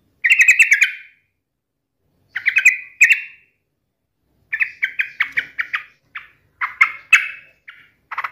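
A yellow-vented bulbul gives bubbly, chattering phrases around the middle of its range, in quick bursts separated by short pauses, with no other clear sounds.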